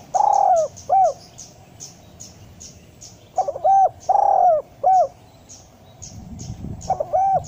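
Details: Spotted dove calling: low, mellow, hollow coos in short phrases, a longer note and then shorter ones, repeated after pauses, with faint high chirps from other birds behind.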